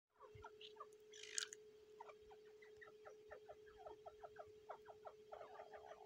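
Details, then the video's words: Female grey francolin (dakhni teetar) guarding her eggs during the breeding season: short downward chirps, sparse at first and then quickening into a run, with a brief rustling burst early on and a steady electrical hum throughout. "Female teetar eggs protecting Teetar breeding season"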